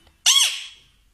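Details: Pet male rose-ringed (ringneck) parakeet, said to be exercising, gives a single harsh, rasping squawk of about half a second that arches up then falls away; the room is otherwise quiet.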